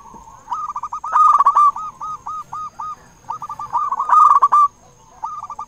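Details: Lure song of a big-voiced local zebra dove for prompting zebra doves to sing; rapid rolling coos swell into loud bursts between runs of short looping notes, with a faint steady high whine behind.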